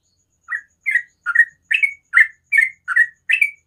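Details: Morning ropel song of a sooty-headed bulbul, a steady string of short, slurred chirps about two and a half per second, each note bright and slightly rising, against a quiet background.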